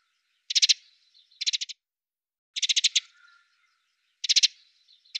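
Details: Wintering Eurasian tree sparrows feeding at a fat ball feeder in Budapest on 20 December 2010, recorded from a window hide; short quick rattling bursts of four to six hard chirps, repeated irregularly, some bursts close together, otherwise quiet.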